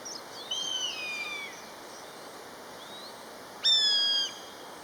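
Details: A pair of common buzzards calling to each other: faint, thin, downslurred mewing whistles, then one loud, clear, descending 'peee' near the end against a quiet background.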